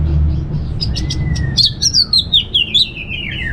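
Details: Orange-headed thrush in relaxed ngeplong song: a long thin whistle slides gently upward and back down, followed by a rapid string of bright chirping notes descending in pitch, over low hum.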